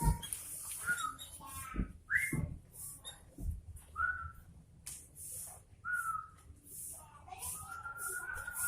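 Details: Sooty-headed bulbul producing short, rising whistled notes repeated every second or two. A steady high hiss and occasional knocks run through the background.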